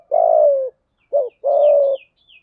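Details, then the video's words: Decoy spotted dove with a thổ sấm voice, cooing to provoke wild doves in rainy, windy weather: a long, slightly falling coo, a brief clipped note, then another sustained coo, with thin high chirps behind. "Chim cu gáy cườm thúc gù bài bản, giọng gáy hay kích bổi hiệu quả mùa mưa gió"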